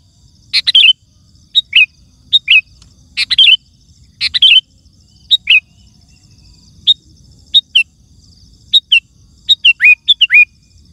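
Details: Sooty-headed bulbul singing loudly to prompt other bulbuls to answer: a dozen short phrases, bubbly at first, later with clear downslurred whistled notes, spaced irregularly.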